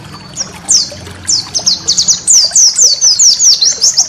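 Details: High-pitched white-eye master song for training caged birds: scattered sharp downward-sweeping notes that quicken into a lively string of thin whistled slurs, roughly two or three per second.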